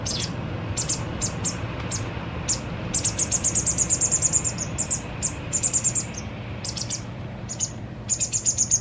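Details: White wagtail fledgling being fed by its parent two days before leaving to live on its own, giving high, thin chirps that run into fast buzzy trills of rapid notes around three and six seconds, over a steady low hum.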